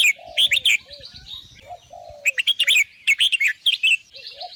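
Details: Lively warbling from a red-whiskered bulbul, short bright chattering phrases separated by quieter gaps, while soft low mellow whistles sound in the background between bursts.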